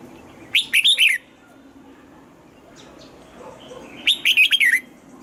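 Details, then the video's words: Morning training song of a red-whiskered bulbul in the double-note 'âm kép già rừng' style: two bright, rapid warbled phrases of four or five slurred whistles, spaced about three and a half seconds apart over a soft hum. "Luyện giọng cho chào mào hót sáng, ép chào mào hót âm kép già rừng hay tuyệt!"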